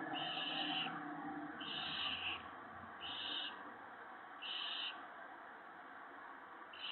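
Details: Owl nest on the evening of 19 March 2017 while prey is brought to the female and owlets; a series of five harsh, breathy screeches, each about half a second long, roughly every 1.3 seconds, over low hum.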